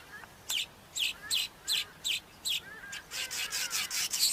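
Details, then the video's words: Cape weaver: spaced sharp chips about twice a second that speed up into a dense, buzzy, rasping chatter at the end. "El Tejedor de El Cabo"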